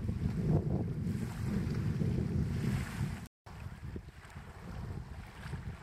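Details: Gusty wind rumble and water noise, with a short dropout near the middle and no animal calls.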